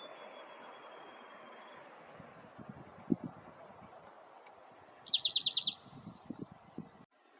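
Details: A spotted towhee at Wind Canyon, south unit of Theodore Roosevelt National Park, gives a quick, high, rattling run of notes and then a thin buzzy note, over footsteps and soft wind.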